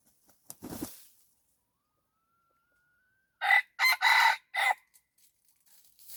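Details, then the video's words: Red junglefowl lured with a decoy gives a loud, clipped crow of four harsh, rasping segments. A dull thump comes first, then a faint thin whistle before the crow, and near silence after it. "ต่อไก่ป่า ຕໍ່ໄກ່ປ່າຫມານອີກແລ້ວແຮກໄກ່ໃຫມ່"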